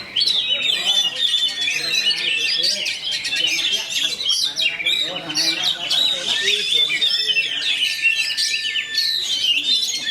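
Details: Fast, tightly packed rolling song of a caged fighter white-rumped shama: continuous sharp chirps and buzzy trills, bright and dense throughout, with a long flat whistle toward the end.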